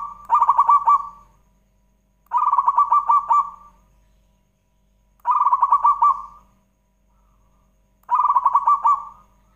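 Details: Zebra dove song used to start other doves singing: four rolling, bubbling coo phrases of rapid pulses, repeated about every two seconds against a quiet background.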